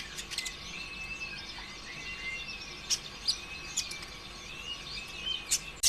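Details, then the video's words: Sunbird song used as a lure to stir other birds into singing: faint, wavering whistled phrases rising and falling, punctuated by sharp high chips, over a steady hiss of background noise. "PANCINGAN ampuh suara konin ijoan KONSLET"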